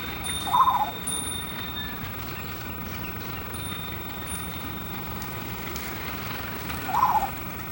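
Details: A crow, assumed to be the levaillantii race of the Jungle/Large-billed Crow complex, at Suan Rotfai, central Thailand, on 10 Sep 2010, gives two short, gurgling, melodic notes about six seconds apart, over steady high, thin ringing tones.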